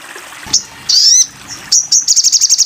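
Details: Crimson sunbird song used for training cage birds: a short high chirp, then a bright rising whistled note, then a fast run of sharp high ticks repeated about eight times a second.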